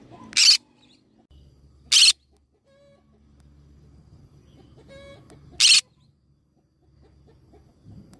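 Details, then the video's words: Green cheek conure parrot letting out three short, grating screeches spaced a few seconds apart, with soft low rumbling and faint tonal bird notes in between. "green cheek conure parrot sound"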